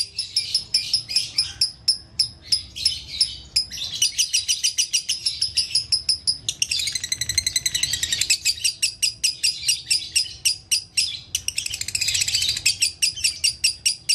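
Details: Lovebird in prolific konslet-style song for teaching other lovebirds: long runs of piercing chirps alternating with buzzy, rolling trill bursts, continuing without a break.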